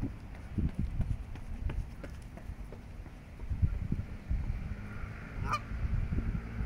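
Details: Greylag goose with goslings in Regent's Park, London, in June 2024. Low, gruff grunting notes come in irregular bursts, then a single harsh, nasal honk sounds near the end over a steady low rumble.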